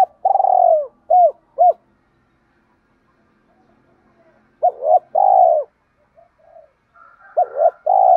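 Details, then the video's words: Cooing of spotted doves, both male and female, used to rouse and train kept doves: soft low hoots and a drawn-out rolling coo in short bursts, a pause of several seconds, then the phrase begins again. "Tiếng chim cu gáy"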